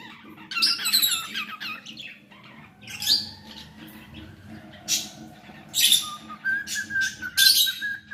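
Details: Pet cockatiel singing: bursts of harsh, buzzy chirps and squawks spread over many tones, separated by short pauses, ending in a thin, level whistle. A low steady hum sits underneath.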